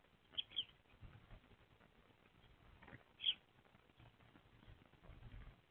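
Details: A pair of Eurasian tree sparrows, male and female, perch on a nest box roof on 18 February 2024 and call back and forth in a springlike mood. Short high chirps come at the start and again near three seconds over steady background hiss.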